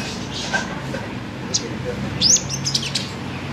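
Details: Caged sunbird, known locally as five-colour sunbird, producing a short, bright twittering trill with sweeping high notes after a quiet stretch, over a low indoor hum.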